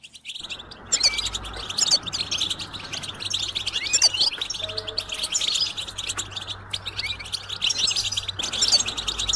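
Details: Goldfinch song meant to motivate a caged goldfinch to sing: continuous high, rapid twittering over a noisy background hiss and low hum, starting after a brief quiet moment.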